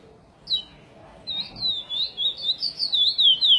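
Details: Chestnut-bellied seed finch (curió) singing the praia style, edited for song tutoring (encarte): a lone high note, a pause, then a run of clear whistled, wavering notes growing steadily louder.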